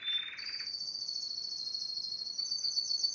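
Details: Yellow Spanish timbrado canary, a strong singer, starting with a short lower rattling trill. It then holds a long, loud, even, high metallic trill without pause for nearly three seconds, with a faint second note in the background.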